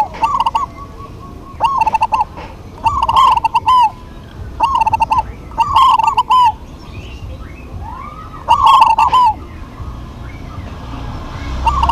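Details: Local Zebra doves in a lively cooing duet: bright, bubbly phrases of rolling, slightly rising coos with quick staccato notes, repeated about every two seconds. Sharp crackling clicks punctuate the phrases over a low background rumble.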